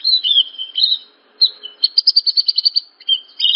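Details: Training song of a Horsfield's bush lark: slurred high whistles, then a fast even trill of about ten sharp chirps, ending with a few warbled notes.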